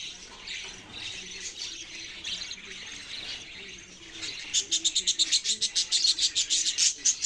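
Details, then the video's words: Budgerigar chirping: soft mixed twittering at first, then from about halfway a fast run of sharp, evenly pulsed chirps, roughly three or four per second. "parrot sounds and chirping sounds"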